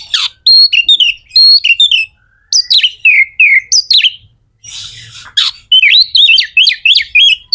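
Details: Magpie-robin (kacer) singing to rouse other birds into song: rapid series of bright, sliding whistled notes in quick bursts, a harsh buzzy note near the middle, then a run of wavering high whistles.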